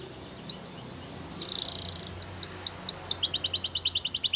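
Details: A male Belgian canary sings high, bright rising slurs, then a buzzy trill and a fast run of repeated chirping notes.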